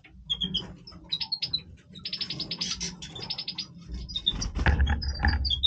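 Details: {'caption': 'Breeding voice of a European goldfinch: jumbled twittering and buzzy trilled bursts over noticeable low background rumble and clatter.'}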